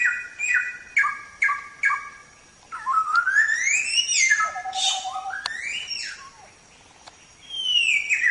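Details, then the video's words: Chinese Hwamei, known as Samyong, singing a masteran training song: three repeated clipped phrases, then long sweeping whistles that rise and fall, with a final descending slur. "Suara Burung Samyong | Gacor"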